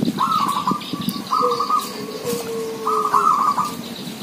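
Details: Several village zebra doves sing busily: three short rolling, trilled coo phrases, with a long, low, steady whistled note sliding slightly downward between them.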